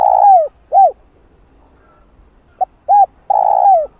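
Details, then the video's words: Spotted dove coos intended to lure and excite wild doves; a long falling coo and a rounded hoot, a pause of over a second, then a short note, an arched hoot and another long descending coo. "Cu Gáy Giọng Hạp Bổi Đủ Bài [ GÁY GỌI + THÚC + Gù ] Kích Cu Gáy Bổi Gáy"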